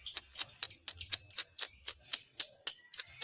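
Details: Lovebird song used to rile up other lovebirds: rapid, harsh, high chirps repeated about four times a second in a fairly steady, scratchy run, over a faint low background hum.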